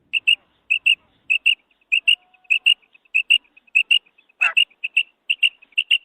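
A female common quail gives high, clipped double notes, repeated steadily about twice a second, with one brief scratchy noise partway through.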